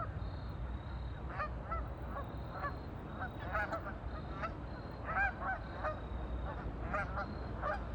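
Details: Ducks on a lake give scattered short honking calls, singly and in small clusters, every second or so, over steady low noise and a faint high whine.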